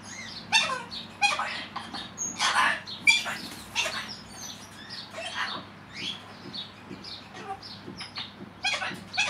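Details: Pet male cockatiel chattering and waffling to himself while alone, a run of varied short whistles, squeaks and warbled notes in bursts, some rising and falling sweeps, fairly loud and close.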